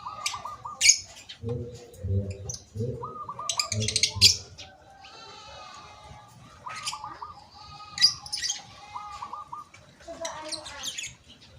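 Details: Bangkok-type zebra dove singing steadily, used as a training recording for other doves: series of short, rolling, trilled coos in bursts, mixed with deeper rough low notes and scattered sharp high chirps from other birds.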